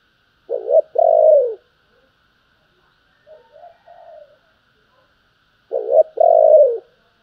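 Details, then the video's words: Spotted dove in the calling and urging coo styles: two loud phrases about five seconds apart, each a short double coo then a long falling coo, with a quieter coo between. "tiếng cu gáy Thúc và gáy gọi"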